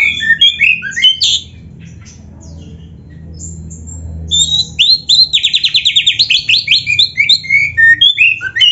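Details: Oriental magpie-robin delivering a song full of canary imitations: varied chirps open the phrase, a quiet gap follows, then a long fast rolling trill of repeated notes and lively twittering to the end.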